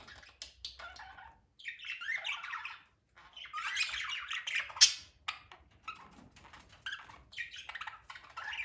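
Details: Budgerigars at feeding time chatter with busy, scratchy warbles and sharp squawks, several birds calling at once.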